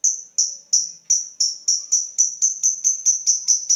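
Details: Lovebird in a fast 'ngekek'-style series following 'ngetik' ticks: shrill, high chirps repeated quickly and evenly, speeding up slightly toward the end, with nothing else clearly heard.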